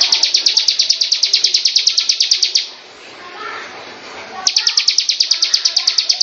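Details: Bar-winged prinia (ciblek) singing: a rapid, even series of high, sharp chipping notes, about eight per second, for over two seconds, then a pause with soft background noise before the fast chipping resumes.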